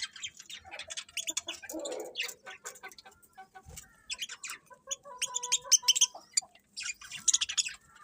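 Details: Morning chirping from birds: steady strings of thin, high tweets and clicky notes, with a short buzzy lower call early on and a clear whistled tone midway.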